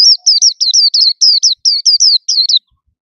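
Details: Caged white-eye singing loudly from a hand-held cage: a run of about thirteen bright, high downslurred notes in quick succession over two and a half seconds, then silence.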